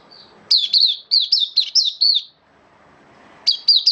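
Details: Oriental white-eye (Zosterops palpebrosus), a songbird in "open sing" form that has dipped a little, sings a quick run of high, thin, warbled notes, pauses briefly, then starts again; little else is heard.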